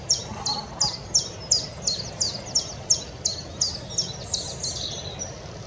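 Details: Wood warbler song at Oldbury Power Station, 9 May 2021. About fifteen sharp, high, down-slurred notes come roughly three per second and build into a faster stuttering run, over a constant low rumble.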